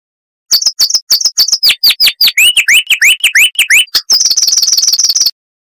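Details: Crisp song of a chestnut-vented warbler from southern Africa: high chips, sliding downslurs and rising liquid whistles repeated rapidly, closing with a thin, fast high-pitched trill.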